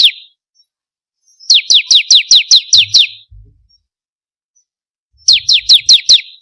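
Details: Bar-winged prinia song, played as a lure to get captive birds singing: two bursts of about seven sharp, high downslurred notes repeated rapidly, a single note at the start, with a few soft low thumps in between.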